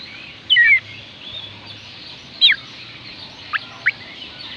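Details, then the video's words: Oriental magpie-robin song played to prompt lazy birds to sing: a few loud, sweeping whistled notes and sharp downward chirps, spaced by pauses of about a second, over a soft background hum. "oriental magpie robin kicauan Kacer panggilan Kacer malas bunyi"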